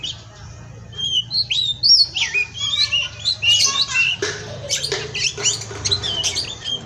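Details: Oriental magpie-robin (kacer) kept at a breeding farm in Indonesia, a 'pastol' tutoring song: after a quiet start, varied whistled slurs and chirps follow rapidly, then harsher scratchy bursts dominate, with a faint background hum.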